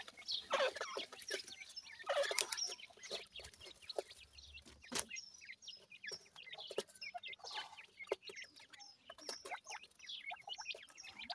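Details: Chicks of the grey francolin, or dakhni teetar, feeding: scattered thin, high chirps and short peeps over soft tapping, louder bursts near the start and middle.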